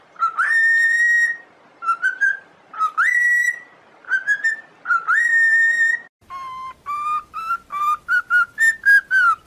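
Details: Whistled cockatiel song used in training: four phrases, each a short note leaping up into a long level whistle, followed by a fast run of short rising and falling notes.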